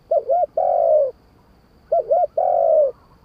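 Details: Spotted dove singing in the wild-voiced 'kharam pa' style: two phrases, each two quick looping coos followed by a longer, steady, slightly falling coo, low and mellow, with quiet pauses between.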